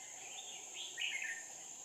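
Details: Red-whiskered bulbul used as a decoy during trapping on 5 May 2019, singing to lure wild birds; a few short warbled phrases rising and falling, over a steady high-pitched insect drone.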